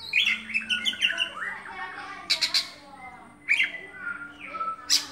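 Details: Caged oriental magpie-robin sings a lively phrase of quick chirps, rising and falling whistles and sharp high accents, with a low steady hum beneath.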